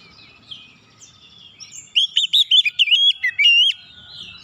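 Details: Calling Oriental magpie-robin, played to make silent birds respond and sing: soft warbling at first, then a rapid run of loud, bright whistled notes and quick up-and-down slurs lasting about two seconds, with a faint low rumble behind.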